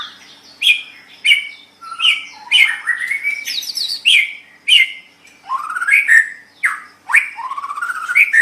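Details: Caged-bird training song of a white-rumped shama: loud, rich phrases, each opening with a sharp high click and sweeping into rising whistles, repeated about every half second to second.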